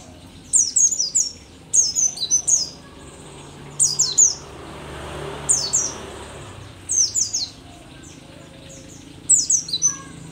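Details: Mountain white-eye, a rare Merapi endemic known locally as pleci dakun, described as old yet still singing eagerly: clusters of very high, thin, downslurred chirps in quick bursts about every two seconds, with soft background hum.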